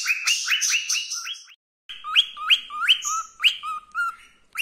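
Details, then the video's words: Happy, contented male pet cockatiel giving his favourite "Wiko Wiko" song: clear rising whistles repeated in quick succession, a short silent pause partway, then more sweeping whistles alternating with lower dropped notes. "the Cockatiel Sings His Heart Out in Beautiful Wiko Wiko Song"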